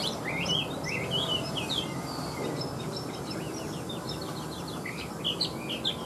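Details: A big, newly feathered Chinese hwamei kept as a cage bird gives short rising and falling whistles, first spaced, then in quicker broken bursts. Faint background rumble throughout.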